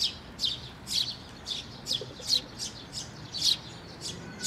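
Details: Sparrows and just-fledged chicks gathering at a shrine's water bridge for feeding, 11 May 2024; evenly spaced, high chirps about three per second, slightly buzzy, over a quiet hiss.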